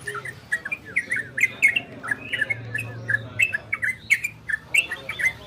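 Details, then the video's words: Orange-spotted bulbul singing ropel and garudo style, to arouse breeding condition in listeners: clear, sweet warbled notes in a loose, evenly paced series, with a low hum beneath. "Suara Trocokan Ropel dan Garudo"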